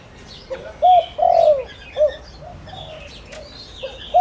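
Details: Decoy spotted dove meant to attract wild doves gives one full phrase of a short upward note, a long wavering coo and a clipped ending, then starts again, over faint twittering birds.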